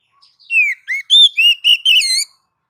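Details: Oriental magpie-robin (kacer) song recorded for training cage birds: a quick run of clear whistled notes, some sliding down, others steady and high, rising to a sweet warbled finish, with no other sounds.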